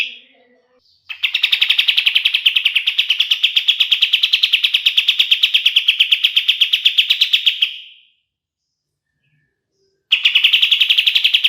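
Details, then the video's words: Kapas tembak (pied triller) song played as a training master for songbirds: a long, fast, even rattling trill of sharp notes held at one high pitch for about seven seconds, then a pause before another trill begins. "SUARA KAPAS TEMBAK SUPER JERNIH UNTUK MASTERAN BURUNG JUARA"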